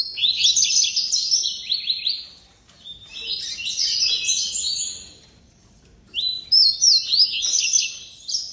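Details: Caged Double-collared Seedeater singing pure tuí-tuí style with no female in view: three bursts of rapid, high, sweeping whistled notes, each about two seconds long and separated by brief silences, loud and clean.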